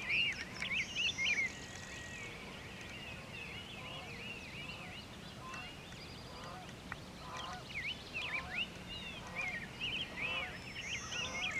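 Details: Birds calling over the Wisconsin River from atop Ferry Bluff in Sauk County: many overlapping wavering, chattering notes in a dense chorus, some louder bursts near the start and end, over a steady low hum.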